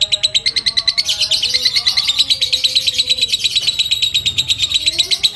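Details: Fighter lovebird's ngekek, a long chatter used to provoke rival lovebirds and teach other birds. Quick, harsh, high pulses repeat densely throughout, with soft whistles in the background.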